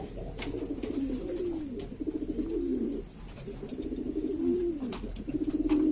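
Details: A noisy flock of domestic pigeons of several fancy breeds in East Lombok, Indonesia, giving continuous low, pulsing coos that swell and dip, with a few brief rustles and taps in the background.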